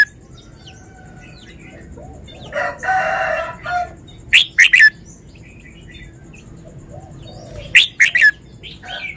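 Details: Red-whiskered bulbul song phrasing: two quick three-note whistled phrases about three seconds apart. A rooster crows loudly beforehand, with faint chirps between.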